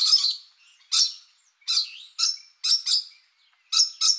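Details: Rainbow lorikeets giving harsh, shrill screeches in short bursts, about eight sharp calls spaced roughly half a second apart, some paired in quick doubles.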